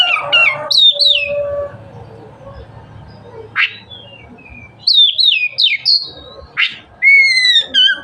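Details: Oriental magpie-robin (kacer) singing in loud ngeplong style, a song said to stimulate other magpie-robins to open their tails: clear whistled notes sliding down, bursts of quick chirps, two harsh rasping notes, and a long falling whistle at the end.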